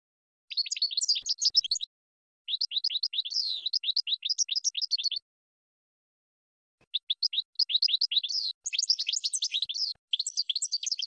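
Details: Training song for cage birds from a European goldfinch: three long phrases of rapid, high, tinkling twitters with silent pauses, the last phrase busier and more jumbled.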